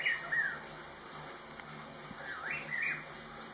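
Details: Rufous-throated partridge recorded at Inthanon, giving two brief whistled phrases of slurred notes, one at the start and one near the end, with a quiet hissing background between them.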